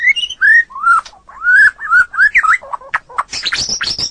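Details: White-rumped shama (murai batu) singing in a long training recording in the gacor owor style: a series of slurred, looping whistles, followed by jerky short notes and harsh, scratchy high bursts.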